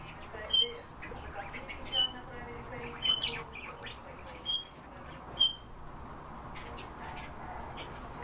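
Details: A kept Eurasian bullfinch gives soft, short piping whistles about once every second or so, five in all, over a low murmur of background noise.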